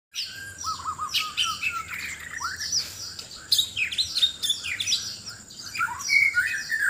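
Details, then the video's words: White-rumped shama from Sabah, Borneo, singing loudly in a contest while seeking a mate: rapid varied whistles, warbles and sharp rising notes in dense overlapping phrases, a steady high tone running underneath throughout. "Murai batu Sabah: aksi mencari pasangan lawan suara keras"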